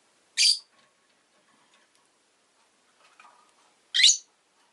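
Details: Pet rosy-faced lovebird indoors giving two short, harsh, broadband chirps about three and a half seconds apart, with faint soft clicks between and near silence otherwise.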